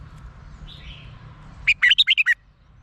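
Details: Red-whiskered bulbul from Thailand, its song used to excite caged birds. A faint soft call is followed by one quick, bubbling phrase of about seven bright notes.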